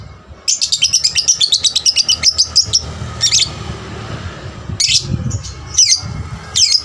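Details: Energetic young lovebird chattering to provoke other lovebirds to sing more: a fast run of sharp, high chirps repeated several times a second, then separate shrill squeaky bursts over a faint low hum.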